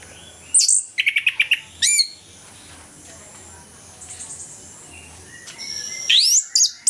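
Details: Orange-headed thrush singing in the morning in full ngeplong style, meant as a lure to get lazy thrushes singing: high, varied whistled phrases and rapid chattering note bursts, with a quiet pause between the opening and closing phrases.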